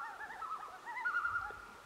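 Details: A juvenile common loon practising its calls in Algonquin Park in 2018 gives a wavering, tremulous call that dips and rises, then settles into a steadier held note.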